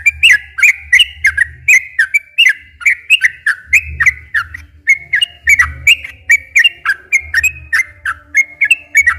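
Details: Sooty-headed bulbul, long continuous ropel-style song meant to stir quiet or stressed captive bulbuls into singing; a fast, even string of clipped whistled notes, rising then dropping, with a faint low hum beneath.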